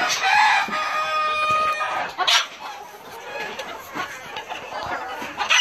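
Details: Self blue Old English Game bantams in a flock; a harmonic crow-like call in the first two seconds, then overlapping clucks and squawks from several birds over steady background noise.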